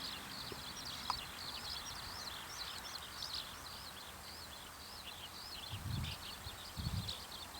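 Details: Zitting cisticola in a field in the evening, calling after flying in close: a steady stream of short, sharp high chips repeated rapidly throughout, faint against low rumbling background noise.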